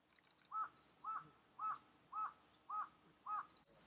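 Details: Eyebrowed thrush giving six short, harsh, clucking mid-pitched notes at an even pace of about two per second, with faint thin high tones in the background.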